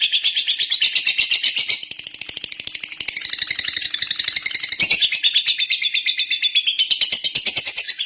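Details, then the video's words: A lovebird's sustained, clear song: continuous buzzy, scratchy chatter delivered in fast rhythmic pulses with shifting pitch, running unbroken for the whole stretch. "Love bird jernih durasi panjang"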